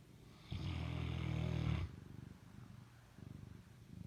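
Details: Sleeping Fila Brasileiro dog in bed at night: one loud, deep, rasping snore lasting over a second, followed by softer, low fluttering rumbles that pulse in short bursts.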